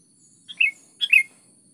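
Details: Sooty-headed bulbul, used as a lure to make other bulbuls sing: two soft, slurred, bubbly notes about half a second apart, faint and clean over a quiet background.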